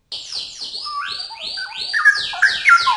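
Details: Cucak rowo, the straw-headed bulbul, singing vigorously. Quick, loud whistles sweep downward from high notes, then drop into lower, richer liquid notes that grow stronger toward the end.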